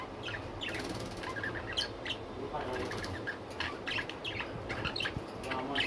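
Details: Pet budgerigars in busy chatter of thin chirps and warbles, with a whirring of flapping wings and a constant low background hum.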